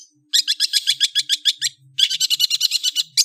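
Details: Long-tailed shrike song made of two bursts of rapid, harsh, buzzy notes repeated steadily, split by a short pause, with a faint low hum underneath.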